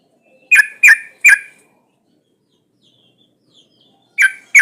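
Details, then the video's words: Sooty-headed bulbul female in breeding condition calling to males: three loud, harsh, buzzy notes in quick succession, a long silence, then two more of the same. "Suara pancingan burung trucuk gacor"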